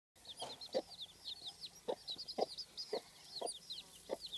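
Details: A domestic mother hen, a bit hysterical after brooding too many eggs, with her many chicks: a dense chorus of high, arching chick peeps over low, short hen clucks spaced about half a second apart.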